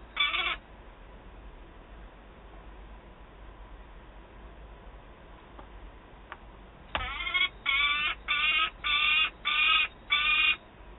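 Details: Peregrine falcons at Wałbrzych, Poland, on 27 August 2022: a well-fed young bird screaming while an adult arrives with prey. One harsh, ringing scream opens, then after a sharp knock come six loud, evenly spaced screams in quick succession over a steady low hum.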